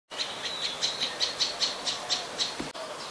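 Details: Adult Common tailorbird (Orthotomus sutorius), Ubon Ratchathani, Thailand, 12 February 2023, giving a rapid series of loud, high, sharp notes, about three or four per second, over a faint steady background hiss.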